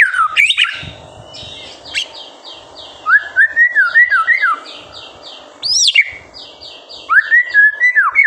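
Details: White-rumped shama singing master phrases for encouraging young birds: wavering whistled motifs rising and falling in pitch, separated by sharp upward sweeps, a faint rhythmic high ticking repeated beneath.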